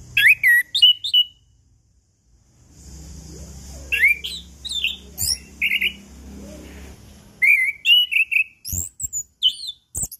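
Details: Chestnut-capped thrush singing as a lure for silent birds, morning, noon and evening; repeated bursts of sweeping whistles and chattering chips, broken by a quieter stretch of low murmur and hiss.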